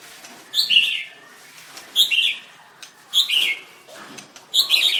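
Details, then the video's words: White-rumped shama in a singing contest repeating a short chattering phrase about every 1.3 seconds, four bursts in all. "Birds White-rumped shama dancing and singing like crazy till chirped sorethroat"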